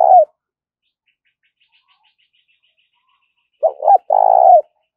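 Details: Decoy spotted dove cooing to lure wild doves. A clipped note opens the clip, then after a silent gap comes a phrase of two short throaty notes and a long, low, vibrating coo. No other sounds.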